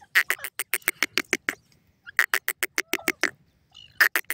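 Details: Francolin giving long runs of rapid, harsh grating notes, roughly ten per burst, repeated after brief gaps, with a new series starting near the end; background otherwise quiet.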